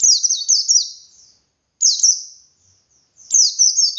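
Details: Wild pleci in the forest singing a bright, high twittering song in rapid descending slurred notes, delivered in three bursts separated by short pauses; used to prompt captive birds to sing.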